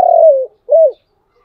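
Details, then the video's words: A single spotted dove phrase in the chiêu and thúc cooing styles: a drawn-out coo that sinks slightly in pitch, then a shorter arched coo after a short gap, with no other sounds. "Tiếng cu gáy chiêu và thúc hay"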